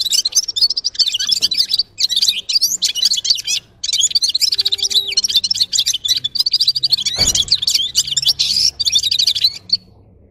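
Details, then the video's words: Red-fronted serin singing a fast, unbroken twitter of high buzzy trills and chirps, with one brief pause near the middle and a short break before the end. "Gulsir Singing (Seriniis pusillus) Пение Птицы (Yurok Qushi Red-capped signing) G'ir-G'ir"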